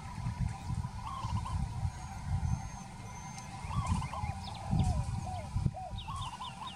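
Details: Peaceful dove voicing short trilled coo phrases about every one to two seconds, while another bird adds high, rapid stuttering notes over low rumbling noise.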